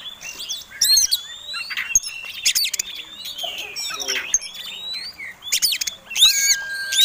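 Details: Contest Oriental magpie-robin singing its fighting, provoking song with tail-flared display: loud chattering bursts alternating with clear rising whistles and buzzy notes, a sustained whistled tone at the end.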